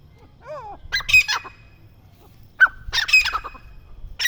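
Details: Grey francolin chicks: a descending wavering whistle, then bursts of harsh, raspy squawking with sharp clicks, two bursts a couple of seconds apart over a low hum.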